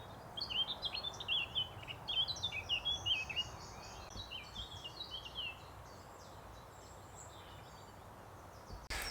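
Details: A Eurasian Blackcap singing at the edge of oak trees in spring sings one rich, fluty warble of about five seconds, opening scratchy and quick, over a steady background hiss.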